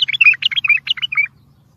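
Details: A bulbul delivers a short, bubbly song phrase of tumbling whistled notes, sliding up and down and ending crisply, used to encourage and train other bulbuls to sing.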